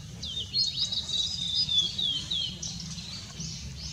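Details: Blue-and-white flycatcher, recorded 6 May 2016, sings a rapid run of high, clear whistles and twittering notes without pause, over a faint low rumble.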